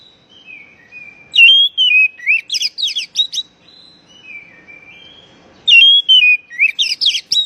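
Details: Oriental magpie-robin call, used to stimulate stressed birds that have gone quiet: faint descending whistles build into loud, rapid, crackling and rising phrases, heard twice.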